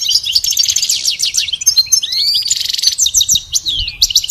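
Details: Goldfinch song used as a training recording for pet goldfinches: dense, fast high twittering with rapid trills, buzzy notes and a few sliding whistles, delivered continuously without pause; faint low rumble beneath.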